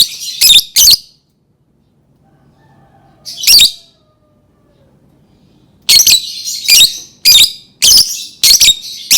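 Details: Lovebird calling: loud, harsh, high-pitched shrieks in short bursts, a pair near the start, one alone, then a rapid irregular run of sharp screeches, with near silence between them.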